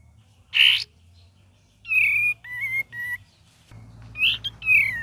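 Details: Cream-vented bulbul, gacor and ngeriwik variation: an opening harsh burst, then a sequence of clear whistled notes stepping lower, followed by slurred bright whistles over a low background hum.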